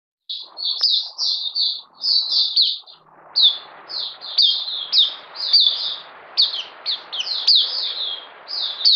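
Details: Oriental white-eye, the puteh of bird keepers, delivering a long stream of high, thin twittered notes that run almost without pause, with a short lull near the middle before the chatter resumes more densely.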